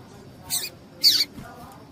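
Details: Two high, rasping notes from a female double-collared seedeater calling to excite males, the second louder and slightly longer.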